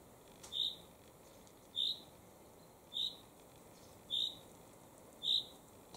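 A chaffinch gives a single short, sharp high chirp about every second, five in a row, over a faint steady background hiss.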